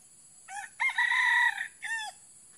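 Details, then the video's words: Red junglefowl crowing while being lured with a female decoy: a short opening note, then a long, steady, harmonic middle section, and a brief falling final note, all within about one and a half seconds, over a steady high insect hiss. "Ayam Hutan Pikat Betina"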